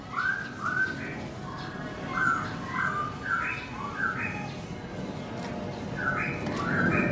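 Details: Black-throated laughingthrush (Garrulax chinensis) singing melodiously with its owner away: a run of short, upward-slurred whistled phrases, one every half second or so, over a continuous background hiss.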